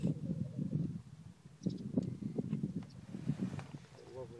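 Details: Black grouse at an early-morning lek in Glen Bruar, Atholl Estates, give a low, continuous bubbling rookoo that rolls on without pause, with a brief rising note near the end.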